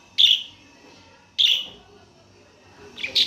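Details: Budgerigar giving loud, harsh chirps: two single bright calls about a second apart, then a quick double chirp at the end, against a faint hum.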